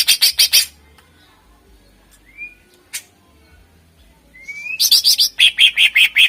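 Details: Cucak ijo, the greater green leafbird, singing to draw contest birds: a short burst of fast repeated notes, a quiet pause with thin rising whistles, then a long run of loud, rapid, evenly spaced notes.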